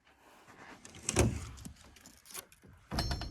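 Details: Rustling, clattering and clunking handling noises with a brief metallic jingle, and no animal calls.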